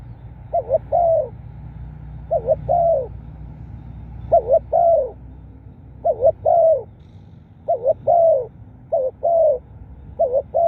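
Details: Decoy recording of a spotted dove's cooing song to attract wild birds: about seven repeated phrases, a quick double note leading into a longer soft downward coo, spaced one to two seconds apart.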